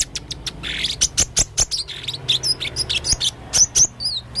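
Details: A male blue-crowned hanging parrot in eager full 'isian' singing: a steady stream of high chirps, clicks and short twisting whistles, about four or five notes per second throughout.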